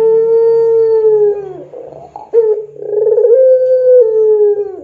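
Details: Puter pelung, a Barbary dove, on a lure recording for training doves: a long held low coo slowly falls away, a pause of soft broken notes follows, then a second sustained coo with a slight rise; steady low hum underneath.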